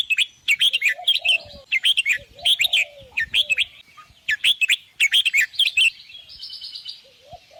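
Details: Red-whiskered bulbul song of cheerful, rapid whistled phrases in close series, ending with a thinner buzzy note, while a quieter low downslurred whistle recurs in the background.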